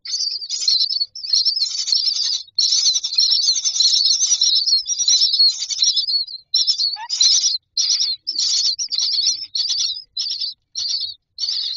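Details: Nest-box myna chicks begging for food with a long, unbroken harsh chattering, then shorter rasping calls in quick succession.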